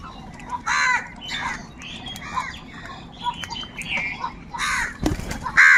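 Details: Crows calling loudly and angrily: spaced harsh caws at irregular intervals over a steady background hiss, with a sharp thump near the end.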